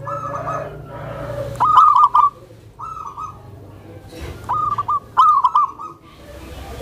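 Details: Tame zebra dove with a soft voice, kept to draw out other zebra doves and to settle newly acquired birds. It gives three bursts of quick, high, staccato cooing notes, with quieter gaps and low background hum between them.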